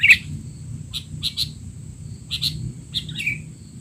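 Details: Sooty-headed bulbul in a frenzied calling session for training untrained young birds: a loud opening chirp, then sparse paired chirps and a short slurred note, spaced by gaps, with steady hiss behind.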